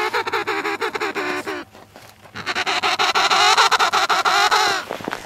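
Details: Emperor penguins on Antarctic sea ice between Cape Evans and Cape Royds calling at close range: a wavering, pulsed trumpeting phrase, a brief pause, then a longer, louder buzzy rattling call, with breaks of wind noise.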